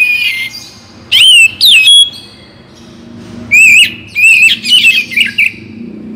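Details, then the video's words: Oriental magpie-robin (kacer bagong) song, morning and evening: a faint whistle, then sharp loud slurred notes, a pause, and a lively rippling run of warbled whistles. "Penggacor Kacer Bagong || Pagi dan Sore - Bikin Kacer Lebih Bersemangat Untuk Berkicau"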